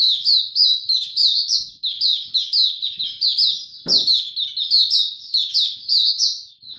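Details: Maturing song of a young caged white-eye, dated 9 February 2022: an unbroken stream of high, sweet, jumbled chirps and trills, quick and uneven, with one brief knock midway.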